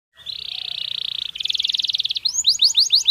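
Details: Canary song meant to stimulate birds during breeding season: a steady high trill, then a faster buzzy rattling trill, then a string of quick downward-sweeping whistled notes.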